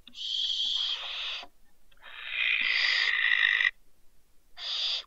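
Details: Two young barn owls that fell from a balcony at Riet Vell reserve, Ebro Delta, Spain, on 27 December 2023 give long, harsh, breathy hissing screeches, three drawn-out bursts of rasping noise with short quiet gaps.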